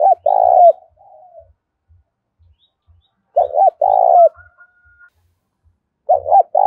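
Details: Repeated spotted dove coos for stimulating newly caught birds: three deep phrases about three seconds apart, each a quick wavering note and a longer steady coo, with faint softer tones between.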